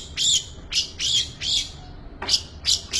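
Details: Long-tailed shrike giving harsh, raspy squawking notes from a full isian song. Six or so loud, grating bursts come at uneven intervals, with brief quiet gaps between them.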